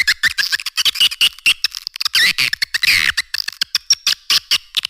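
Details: Swiftlet lure call played to attract edible-nest swiftlets: quick high chirping clicks mixed with short twittering squeaks and a brief rough buzzy passage midway.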